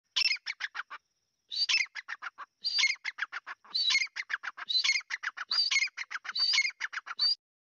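Grey francolin giving loud, harsh, grating phrases, each a quick run of scratchy notes, repeated about once a second with no other sounds.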